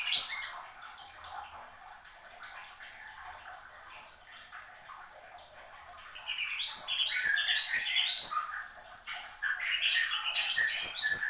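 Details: Horsfield's babbler, known locally as mantenan gunung, sings energetically after a quiet opening with soft noise: dense, high, rising chirped phrases build in two loud bursts toward the end.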